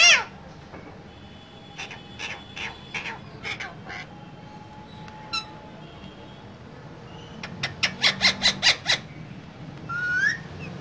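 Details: Two green parrots in a cage give harsh, raspy squawks in short bursts: a loose run early, then about eight quick clipped notes and a final rising screech.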